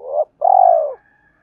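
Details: Spotted dove kept as a decoy, calling wild doves in the 'hai hậu ròng' pattern: a quick rising note, a short gap, then one long, smooth, gently falling coo, with a faint thin tone after.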